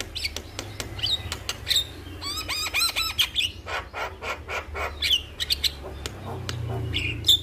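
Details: Male Javan myna in full voice, calling a female: sharp clicks and whistles, a cluster of short ringing notes, then irregular raspy squawks with a low background hum.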